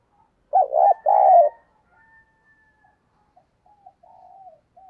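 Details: Decoy spotted dove cooing to lure wild doves: two loud, throaty, wavering coos in quick succession, then a long pause and a softer, drawn-out trailing coo phrase; quiet background.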